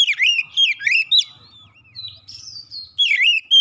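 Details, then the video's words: Provoked oriental magpie-robin singing in aggressive challenge: quick loud whistled phrases with swooping notes, a softer run of thin sliding tones in the middle, then loud bursts again. "sekali pancing Kacer lawan langsung gertak naik emosi bongkar isian"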